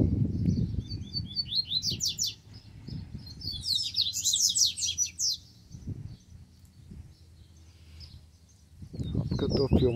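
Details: Rusty-collared seedeater (coleiro) singing in the puxada style from Brazil: bursts of rapid, high buzzy sweeping notes and trills, with pauses between phrases, over low rumbling background noise and faint music.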